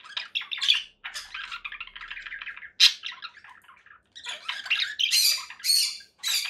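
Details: Conure parakeet chattering in quick scratchy bursts, a longer grating stretch in the middle, then louder harsh squawks at the end, with short silent breaks between.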